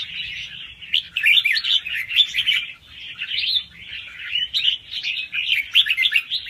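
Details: Fast song of a young wild red-whiskered bulbul, with doubled notes, used to stir up other birds: continuous chattering of rapid, twisting whistled notes, pulsing louder and softer without a break.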